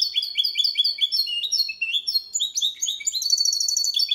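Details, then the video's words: Goldfinch × canary hybrid in Malaga-style song used to stimulate males and help chicks memorise it: rapid repeated high chirps shifting into buzzy trills and a very fast rattling run near the end. "Mixto jilguero cantando copia malaga _ Hybrid of goldfinch singing for training songs"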